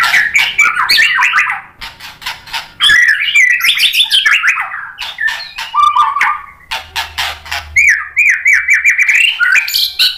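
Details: White-rumped shama song used as a lure to stir other shamas into answering: loud, fast, varied phrases of whistles, rising and falling slurs and sharp chips tumbling one after another without pause.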